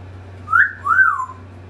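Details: An African grey parrot that talks, with words like "Peekaboo", "pow pow pow" and "woof woof woof", gives two clear, whistled, speech-like notes: a short rising one, then a longer one that swells and slides down, over a low steady hum.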